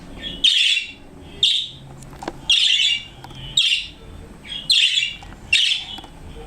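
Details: Pet budgerigars indoors give harsh, scratchy chirps in short repeated bursts.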